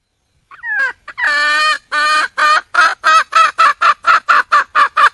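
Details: Wild junglefowl hen calling to attract a mate: opens with drawn-out, honking notes that bend in pitch, then settles into about ten short nasal clucks that gradually quicken.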